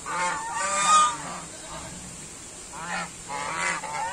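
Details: Honks of white domestic geese at moderate volume, short nasal calls in uneven clusters with a quieter gap in the middle and a steady faint hiss behind.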